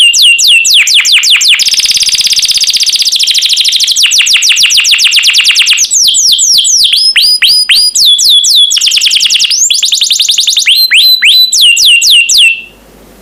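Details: Champion canary song used as a master to teach birds to sing: long alternating passages of rapid falling trills, buzzy rolls and slower swooping whistles, ending suddenly in quiet.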